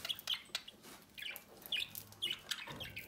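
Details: A chick being fed at the nest door by its budgerigar parents: a rapid series of short, high squeaky chirps, about six clusters in three seconds, over soft scratchy chatter.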